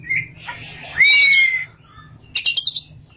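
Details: Oriental magpie-robin (kacer) singing actively in the ngerol and nembak styles: a brief high note, a loud clear whistle sliding slightly downward, then a quick burst of five buzzy chattering notes.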